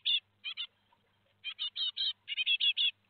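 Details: Four young great tits leaving their nest at Théding, France, 17 July 2020: short sharp chirps, single and paired at first, then a quick run of five or six notes.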